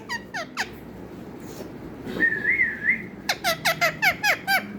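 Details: Talking parrot making a few chirps, a wavy whistled phrase, then a rapid run of about nine downward-sliding chirps.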